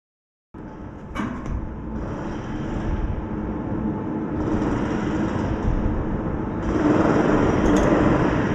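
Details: Steady engine-like mechanical rumble and hiss that grows louder toward the end, with a few knocks and sliding sounds and no animal voices.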